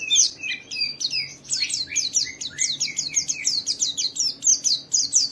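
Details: Quick, steady stream of high, falling twittered notes from a white-eye, a song meant to trigger other white-eyes to sing, with a few lower slurred notes early on.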